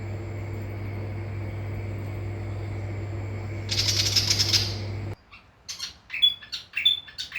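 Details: Willie wagtail from Far North Queensland, Australia, giving a brief harsh rattling chatter over a low hum, followed after an abrupt cut by a series of sharp, high chirps and short whistled notes.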